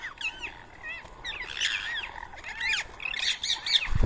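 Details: Rose-ringed parakeets feeding on soaked boiled rice on a Sunday morning, 31 March 2024, in Coimbatore, India; loud arching screeches repeated rapidly by several birds, shrill and squawking, with a low thud at the end.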